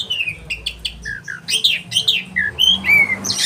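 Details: Caged-bird training song of an oriental magpie-robin, sharp rolling style: varied short whistles and chirps, some rising and some falling, delivered in quick succession.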